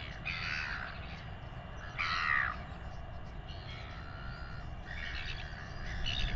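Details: Father royal albatross feeding its chick in New Zealand, with the chick weighed: a few loud, raspy, broken squawks separated by pauses of about two seconds, masked by a heavy low rumble of wind.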